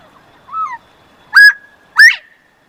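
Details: Pair of Northern Bobwhite quail calling: one faint low whistle followed by two strong, upward-slurred whistled notes spaced roughly 0.6 seconds apart, with quiet background.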